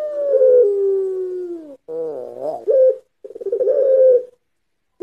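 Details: Puter pelung dove lure recording for training: a long, smooth, sliding coo that slowly falls, then a wavering warbled coo and a rolling purr-like phrase, separated by brief silences.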